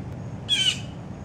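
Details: A Blue Jay feeding with other jays at a breakfast feeding frenzy gives one harsh, slightly falling scream, a mimicked Red-shouldered Hawk call about a quarter-second long, over a low background rumble.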